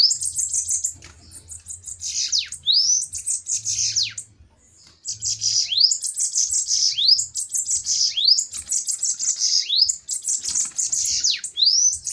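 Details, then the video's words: Fiery bananaquits in a song duel. A long, almost unbroken stream of shrill, wheezy, buzzy phrases runs with repeated upswept and downswept whistles and only one short pause early on. "DUELO DE SIBITES FOGOSOS!"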